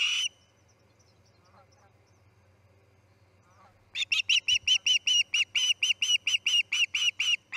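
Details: Osprey at the Charlo nest, around a chick fledging on August 10, 2018 at 6:03 am: a brief call opens, then after a quiet gap a fast series of clear, sharp, whistled notes repeated a couple of times per second.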